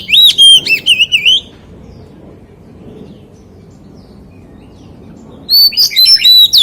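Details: Two bursts of loud, ringing, looping whistles from a white-rumped shama singing in wild-voice style, separated by about four seconds of quiet background.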